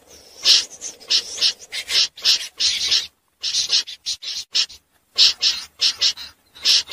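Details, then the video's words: Common snipe at night, sound played as a net-trapping lure: clusters of coarse, scratchy notes with a short pause near the middle, each burst harsh and unmusical. "Tiếng dẽ giun lưới đêm"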